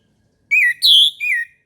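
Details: Morning song of an orange-headed thrush, played to prompt quiet caged birds into singing: a single loud whistled phrase of three slurred notes, the middle one highest and strongest, with a silent background.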